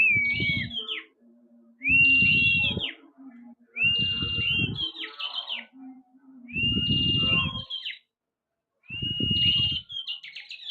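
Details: Prinia in lively song, giving five short phrases about every two seconds. Each phrase has a sliding whistle and a buzzy burst, and dull low knocking sounds beneath.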